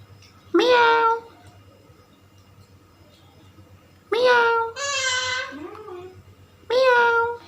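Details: Indian ringneck parakeet talking: three loud nasal, harmonic meow-like calls, each under a second, separated by pauses of about three seconds, in a quiet indoor setting.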